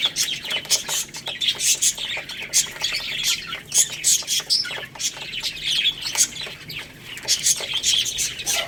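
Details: Chicks pecking at rice keep up a constant high-pitched twittering, many voices at once, with short sharp taps scattered through it.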